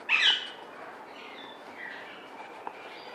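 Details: A military macaw breeding pair in an aviary: a single loud, harsh, raspy squawk opens, followed by fainter scratchy calls and a soft click against quiet background hiss.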